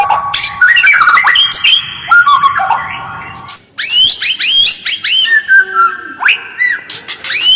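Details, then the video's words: White-rumped shama lure, fast and coarse with short pauses, meant to trigger answers from other birds; tangled whistled warbling, then a brief lull and a run of sharp rising and falling whistles with clicking chips. "Jeda rapat, suara kasar dan cepat direspon burung lain, pancingan murai batu"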